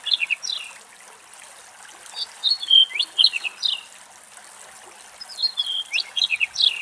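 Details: Male black-headed buntings, migratory songbirds in Greek countryside, recorded from very far away in strong wind: two bright, jangling song phrases of quick chirpy notes sliding up and down, separated by a pause, over faint airy hiss.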